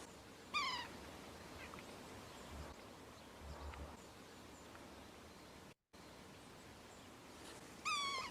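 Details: Male yellow-bellied sapsucker, wild, calling while drilling sap wells in straight rows on a tree: two nasal, cat-like mewing calls, each slurring downward with bright harmonics, about seven seconds apart, with quiet background between.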